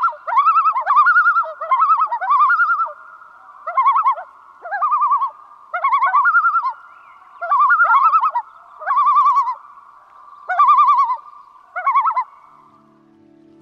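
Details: Common Loon tremolo, a rapid, quavering, laugh-like call used to signal danger or call for help: bursts each under a second, repeated about ten times with short gaps, and a faint low hum at the end.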